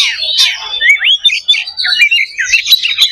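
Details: Oriental magpie-robin fighting song, the aggressive style used to build fighting spirit: loud, rich, rapidly changing whistles, slurred upward sweeps and scratchy high notes poured out without pause.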